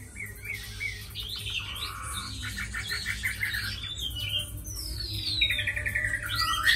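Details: Tame caged Chinese hwamei, prized for fighting and strong singing, giving varied whistled phrases mixed with buzzy notes, fast repeated chips and long rising-and-falling slurs that grow louder toward the end.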